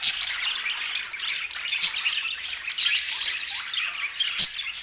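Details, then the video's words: Group of budgerigars warbling and chirping nonstop, a dense high twitter broken by a few sharp clicks. "O Som dos Periquitos"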